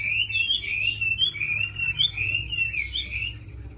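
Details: Tame fighting Chinese hwamei in a cage sings a smooth chain of rolling whistled notes, wavering up and down at a steady medium pitch, loud at first and slightly softer toward the end.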